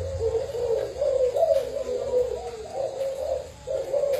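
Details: Spotted dove decoy bird of Thai stock cooing in low, gently rising and falling notes, with a brief gap near the end and faint hum beneath.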